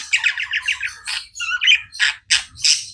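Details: Domestic budgies give a fast run of stuttering chirps, then separate loud scratchy squawks spaced roughly every third of a second.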